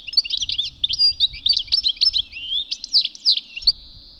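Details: A European goldfinch singing in spring in the UK gives a fast, liquid twitter of high tinkling and chattering notes, ending in a brief buzzy drawn-out note, with a faint low background rumble.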